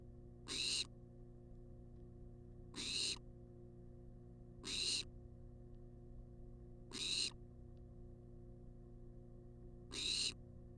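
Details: Barn owl, wild, at a research-monitored nest box, begging for food: rasping, broadband hissed screeches repeated roughly every two seconds, five in the clip, each about half a second, with a constant low hum beneath.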